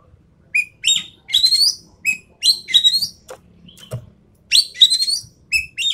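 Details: Sumatran treepie, an endemic species, in recorded tutor and lure sound: a lively run of harsh, grating chatter alternating with short clear mid-pitched notes, about a dozen calls with short gaps and occasional faint ticks.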